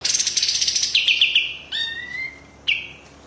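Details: Pied triller in a fast "tembak" style song: a loud buzzy rattle of rapid pulses, then a run of quick sharp notes sliding into long clear whistles, one rising and one held steady, separated by short pauses.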